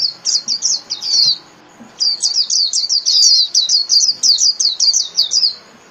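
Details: Energetic líu song of a Japanese white-eye, for training caged birds: two long runs of rapid high twittering, with quick chips and falling slurs packed together and a short silent pause between them.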